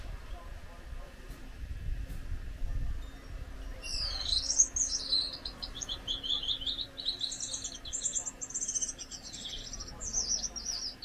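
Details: Gouldian finch, one of a pair, quiet for four seconds, then a high, fizzing song of buzzy trills and wavering whistled phrases that continues to the end over a soft room hum.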